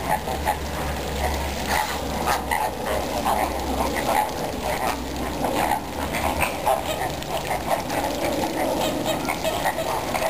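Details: Captive greater flamingos at Zoo Vienna on October 6, 2010: a flock keeps up a steady, overlapping chatter of nasal, goose-like calls, with a low constant hum underneath.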